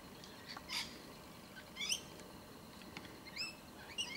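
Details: Young Australian magpie near a spot where wild birds are fed mincemeat, recently shown there by its adult minders; squeaky, high, harmonic chirps in short bursts roughly every second, with quiet background.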